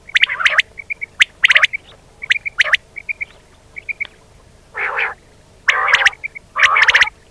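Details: Common quail sounds from Pakistan, played to lure quail for hunting by netting: harsh raspy bursts alternate with soft clipped triple notes, roughly one phrase every second.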